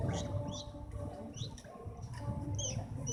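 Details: Yellow-vented bulbul nestling, being teased, gives faint, short, sharp rising chirps in irregular bursts of one or two, over a low background hum.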